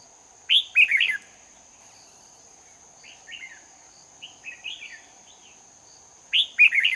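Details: Competitive song of a lure red-whiskered bulbul during trapping in Hòa Bình, 18 November 2019. Loud chirpy warbled bursts open and close the stretch, with softer phrases between them and a continuous high-pitched drone underneath.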